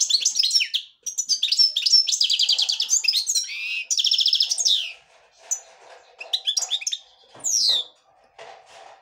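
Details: European goldfinch of the black-headed form singing devonash style. A rapid high twittering phrase runs about five seconds, followed by scattered single chirps and a final sweeping whistle over faint low background hum.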